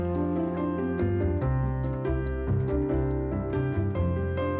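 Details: Piano music plays throughout, with notes struck in a steady rhythm over low sustained chords and no animal sound.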